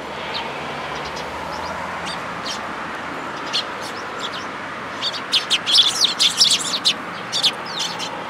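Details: At a plum-tree feeding place of a Tenmangu shrine on 2 July 2022, sparrows coming for food give scattered thin chirps that swell into a busy cluster of rapid notes after five seconds, over a low hiss.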